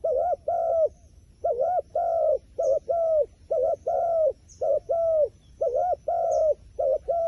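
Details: A wild pigeon coos steadily in low two-note phrases, a short dipped note and a longer rounded one, repeated many times with faint higher chirps in the background.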